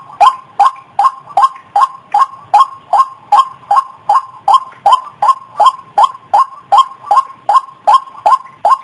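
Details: Luring call of a white-breasted waterhen for the opposite sex: around twenty-two loud, grating 'kruak'-like notes in a steady, regular rhythm, roughly two and a half per second.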